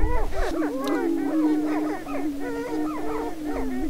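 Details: Greater prairie-chickens at a spring mating lek near Crookston, northwest Minnesota, 27 April: a low, steady, hollow booming drone under a busy chorus of overlapping whooping cackles and rising-falling yelps from several birds during the mating dance.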